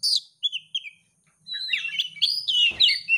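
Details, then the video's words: Oriental magpie-robin, a champion competition bird, with a lure song meant to set a rival singing: bright whistled slurs, then a dense scratchy warble of mixed phrases, with a short click near the end. "kacer juara siap gantang pancingan kacer gacor langsung on"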